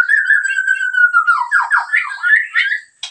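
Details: White-rumped shama of the Medan type, singing actively: a long steady whistled note that slides gently lower, then rapid rising and falling whistled phrases with buzzy overtones, ending in a short harsh note.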